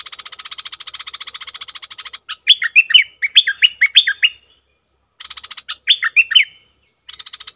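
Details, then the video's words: A decoy Red-whiskered bulbul. A long, harsh, buzzy rattle alternates with bursts of fluty, swooping whistled phrases. The rattle returns between and after the whistling. "เสียงต่อนกดอกแตงEp.63นกต่อเจ้าเพชร||เสียงเรียก||เบิ้ล||ริก!!มีครบในคลิปเดียวSuara merbah lekir gacor"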